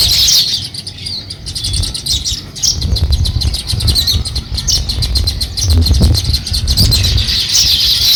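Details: Sparrow chirping as it starts to build a nest; rapid, dense high chirps repeated several times a second with uneven rhythm, over low rumbling background noise.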